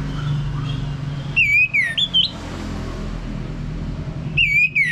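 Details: Orange-headed thrush prompting recording for coaxing males into ngeplong song: a few clear, downward-slurring whistles in a short phrase, with another brief slurred whistle near the end, against constant low hum.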